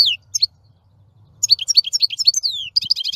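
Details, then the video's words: European goldfinch singing: downslurred whistled notes, then a lively twittering sequence of high, repeated, slurred chirps over a faint low hum. "Красивое пение щегла. Singing goldfinch. آواز خواندن فنچ"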